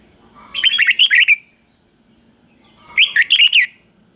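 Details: Caged red-whiskered bulbul singing a simple three-syllable doubled song style used to train young birds. Two quick bright warbled phrases of about five notes each, separated by a pause of roughly one and a half seconds, in a quiet room.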